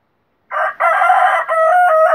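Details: A domestic desi cock crows, the call locally termed azan: a powerful, ringing harmonic crow opening with a short syllable, then a long level note with a slight dip before a sustained, gently falling ending.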